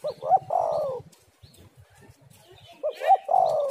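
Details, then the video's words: Spotted dove female lure call: two matching phrases about two and a half seconds apart, each of quick rising coos ending in a long, slowly falling coo, with faint low background noise between. "tekukur super gacor suara pancingan betina"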